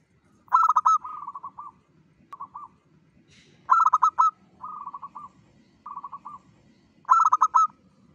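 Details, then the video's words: Dawn song of a local zebra dove used as a lure: repeated phrases, each a loud stuttering burst of rapid pulsed coos followed by softer trilled runs, recurring about every three seconds. "PANCINGAN SUARA PERKUTUT LOKAL GACOR SUBUH"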